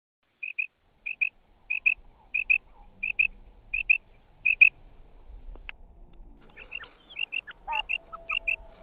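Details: Female quail calling, giving paired short whistled notes repeated about once per second for five seconds, then softer scattered chirps and faint knocks over low background rumble.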